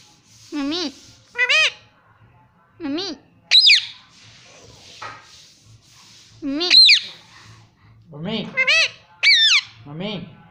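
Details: Talking pet Indian ringneck parrot saying "Mummy" indoors, with short wavering voice-like syllables and sharp squeaky notes in irregular bursts separated by quiet gaps, faint hum underneath.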